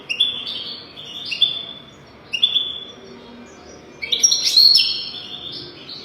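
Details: Goldfinch song for training young goldfinches: three short, bright twittering phrases, then a louder, buzzy, sparkling burst of rapid high notes.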